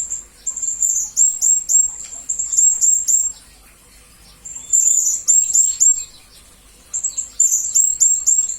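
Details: Blue-crowned hanging parrot (serindit) in a master recording for tutoring magpie-robins and green leafbirds: bursts of shrill, very high, slightly downslurred notes in rapid series, separated by brief pauses, over a quiet background.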